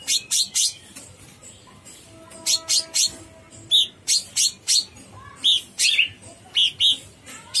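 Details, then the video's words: Cucak cungkok bulbul in lively song: spaced loud, sharp chips with a few whistled, slightly warbled notes, about two to three per second, plus a faint tonal background hum. "Suara burung cucak CUNGKOK gacor"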